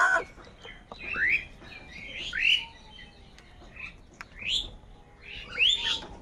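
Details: Crows calling in the morning, part of a large group said to be fighting over food: harsh rising caws repeated about every one to two seconds, with fainter calls of other birds in the background.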